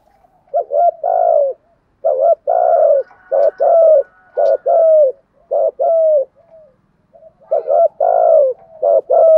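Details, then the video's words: Spotted dove giving a decoy cooing sequence meant to stir up other doves: loud, low, hollow coos in short grouped bursts, with brief pauses between phrases and no other sounds. "Tiếng chim cu gáy gù thúc bài bản, tiếng chim cu gáy kích bổi và tập mồi nghe rất xiêng gáy"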